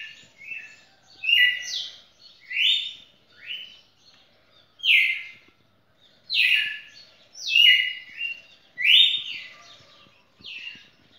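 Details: Champion red-cowled cardinal singing past two minutes to beat its own record: loud whistled phrases, each a clear note stepping down or sliding, about seven phrases in eleven seconds with short gaps between them.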